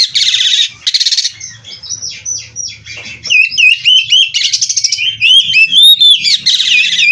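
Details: Kacer (oriental magpie-robin) bred in captivity, with energetic 'gacor full isian' song: harsh buzzy bursts separate sequences of sharp, rapidly repeated whistled notes and warbled phrases, sung almost without pause.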